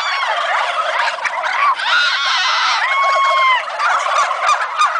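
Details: Flock of farm turkeys before Thanksgiving, many birds gobbling at once in a loud continuous chorus of rattling gobbles, with a few drawn-out level calls standing out near the middle.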